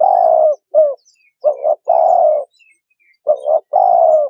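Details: Spotted dove cooing, played as a trapping lure; soft, low hooting phrases of two quick notes followed by a long rolling coo, given twice with short pauses and no other clear sounds.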